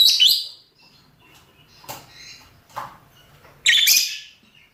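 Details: Mating calls from lovebirds of both sexes, rosy-faced or Fischer's: a loud grating shriek opens, then soft scattered chirps and clicks, and a second harsh, broad screech near the end.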